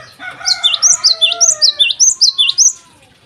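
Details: Morning song of a Java sparrow, a rapid run of about ten high, curling chip notes in a steady bouncing rhythm over lower drawn-out whistled tones from another bird.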